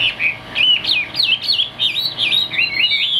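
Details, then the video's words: Chinese hwamei kept as a cage bird in Vietnam, fig-leaf tail, high-pitched singer, producing clean looping whistles in rapid bursts, each phrase a rolling up-and-down slur, strong and clear throughout. "Hm 2783 - Bộ khủng hót cực tốt, đuôi lá vả, hót cao cầu"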